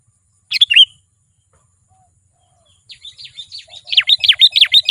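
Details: Sooty-headed bulbul song used to call wild bulbuls closer: a brief burst of bubbly chirps, a pause, then an accelerating run of sharp, descending chirped notes, about three per second.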